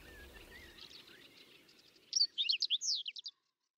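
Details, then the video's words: Whinchat singing through a May snowstorm near Domzheritsy, Berezinsky Biosphere Reserve; faint distant twitters under wind noise, then a clear, quick run of about eight high, sharp whistled and chattering notes before silence. "Луговой чекан в майскую вьюгу"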